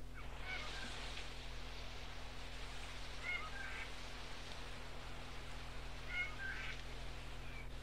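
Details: Barred (yellow-eyed) Cuckoo-shrike in North Queensland tropical rainforest, mostly recorded on the Paluma Range north of Townsville, from an old cassette: short, faint, mewing whistles every two to three seconds, some paired, over a steady low hum.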